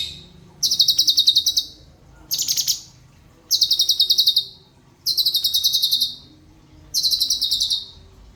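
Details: Cucak cungkok singing fast rolls: five loud, shrill, machine-gun-like trills of rapid even pulses, each lasting around a second, with one shorter harsher burst, separated by brief silences.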